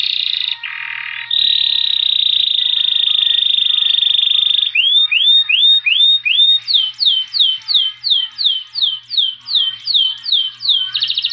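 Saffron finch song: a long, sustained high whistle, then a fast series of sharp, rising-then-falling chirps, repeated nearly three per second.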